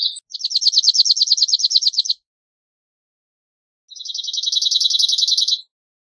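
A cirl bunting sings two dry, rattling trills of rapid, evenly repeated high notes, each about two seconds long, with a short pause between them. The background is quiet.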